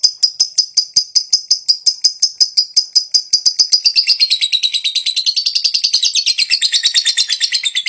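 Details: Lovebird of fighter type, in high breeding condition, delivering a long ngekek: an unbroken, very rapid, buzzy high trill lasting the whole eight seconds, growing denser and rougher toward the end.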